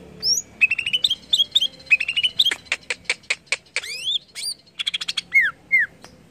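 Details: Greater green leafbird song used to stimulate other leafbirds to sing: rapid varied phrases of short whistled notes, upslurred chirps and a burst of sharp repeated ticks, with descending slurred whistles near the end.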